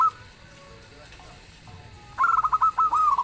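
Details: Local zebra dove in lively song, said to make other birds respond; after a quiet stretch comes a fast run of bubbling staccato coos followed by longer rounded notes.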